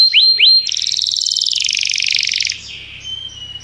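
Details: Canary in song training, singing to call a companion: two quick down-sweeping chirps, then a fast buzzy trill sustained for about two seconds, fading into a soft thin whistle.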